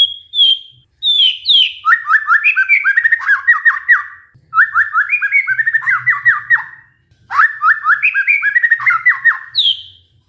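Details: White-rumped shama lure song meant to coax a stressed, silent bird back into singing: three loud bursts of rich whistled phrases, each opening with a high clear note then tumbling into rapid downward-slurred chattering notes, separated by short pauses.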